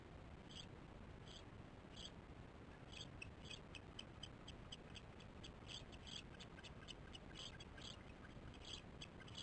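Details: Osprey chicks at a nest on a nest camera, 13 July 2015 at 08:10 in the morning: rapid series of short, high chirps, irregularly spaced and repeated throughout, over a steady broad rushing background noise.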